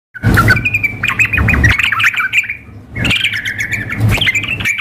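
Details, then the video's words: Sooty-headed bulbul sounds mixed for a contest simulation, a female calling a male combined with an excited, hard-singing bird: bursts of bright chattering notes around a steady pitch, pausing near three seconds, with low thumping bursts between phrases. "kombinasi trucuk memanggil dengan trucuk gacor mengamuk suara simulasi kontes"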